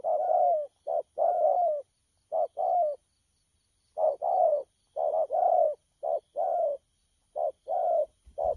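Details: Low, soft cooing from a freshly caught wild spotted dove of the thổ pha style, 12 October 2019; hollow notes come in irregular clusters, some paired, with a gap of about a second midway.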